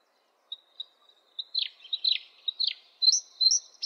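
A bluethroat sings high and thin: a few separate ticking notes, then quick phrases of sharp, falling chirps and clear whistles, about two or three a second.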